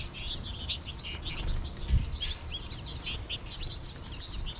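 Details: American goldfinch flock in late March, birds calling in the trees; steady high twittering with repeated short rising chirps, over low background noise.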